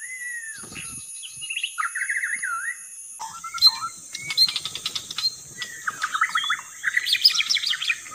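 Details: White-rumped shama lure song: a sliding whistle, then wavering warbled phrases, followed by a busier passage of rapid clicks and quick rising and falling notes, with a steady hiss.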